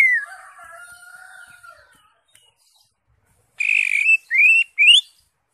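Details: Greater green leafbird singing with its crest raised, in full varied song: a falling whistle, then a long level whistled note, a pause, and three loud, bright, rising slurred phrases.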